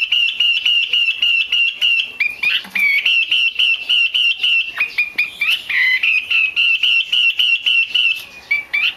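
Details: Rapid rhythmic chattering from a female Chinese hwamei, played to get males singing: short harmonic notes at a steady pitch, interrupted by brief upward slurs and twisting whistles before the even repetition resumes.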